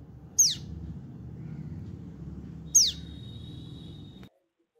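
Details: Tailorbird, a bird smaller than a sparrow, giving two sharp, high, steeply falling whistled notes about two and a half seconds apart over a low background hum, ending abruptly.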